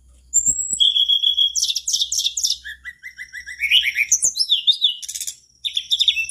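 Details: Mangrove blue flycatcher singing vigorously to spur other flycatchers to sing along; a thin high whistle opens, followed by dense chattering notes, a run of short repeated chirps, and a burst of twittering after a brief pause.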